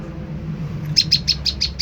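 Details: Olive-backed tailorbird (prenjak lumut) lure call used to provoke a reply: six sharp, high chipping notes evenly spaced in the second half, after a quiet start over a low steady hum.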